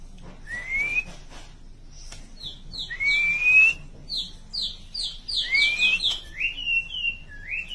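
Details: White-rumped shama in chirping style, giving rising whistled slurs followed by quick runs of short descending chirps and a final upslurred whistle, over a soft low hum.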